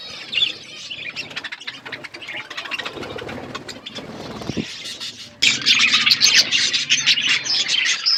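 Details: Flock of budgerigars eating food: dense, overlapping high chirps and warbling chatter throughout, growing louder and busier after about five seconds, with a low steady cooing underneath.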